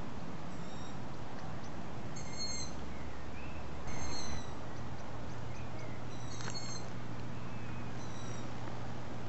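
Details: Young long-eared owls begging while being fed by their parents, filmed well after sunset; thin, high squeaky calls come every one to two seconds, faint against a steady low hum and noise.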